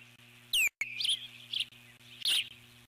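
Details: Eagle at the nest alerting to a large bird passing nearby, 12 July 2014: one loud, piercing down-slurred whistle followed by softer chittering notes, with a faint background hum.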